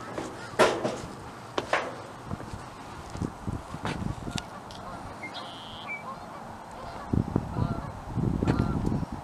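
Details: Canada geese honking as they fly past at Cheam Lake Wetlands, British Columbia, Canada; a few loud, harsh honks near the start and around four seconds, a thin whistled note from another bird, and low rumbling background noise.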